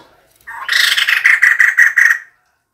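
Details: Female white-crested laughingthrush calling, a recording used as a decoy call: a harsh, buzzy chattering run of about eight rapid pulses over under two seconds, loud and rasping, with no other sounds.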